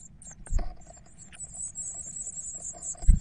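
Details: Twelve Eurasian blue tit nestlings beg in a thin, very high, continuous chorus of hissing cheeps as they wait to be fed, with dull low thumps and bumps throughout.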